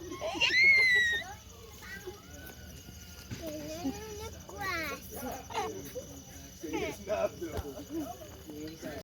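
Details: A snowy owl at a New York zoo, filmed 13 September 2025 at an evening fundraiser event, lets out one loud, high, wavering squeal lasting about a second; then adults and children talk.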